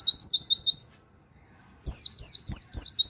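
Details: White-eye 'nembak wit wit kenari' song suited to training other birds: a quick trill of five rising chirps, a silent gap, then five shrill downslurred whistles.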